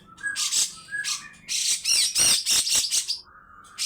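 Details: Grey-cheeked bulbul: two soft whistled notes lead into a loud, buzzing, hissing 'besetan' outburst that fades to a quiet whistle.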